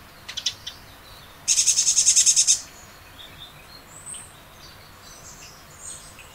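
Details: Eurasian blue tit in early April at a nest hollow in a spring garden, announcing its territory: a few high clicks, then a harsh, buzzy, rapidly pulsed churr lasting about a second, followed by faint distant high chirps.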